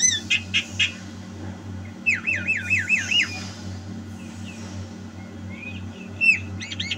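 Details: Javan myna singing energetically, 2022: sharp opening notes, then a rolling series of wavy looping whistles, a pause, and more chirps at the end, with a low hum behind.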